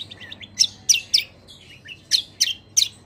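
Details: Greater green leafbird delivering kecial kombo song with long rolls, eager and loud; a short run of soft quick twitters, then strong piercing downslurred notes in pairs and triplets about every third of a second.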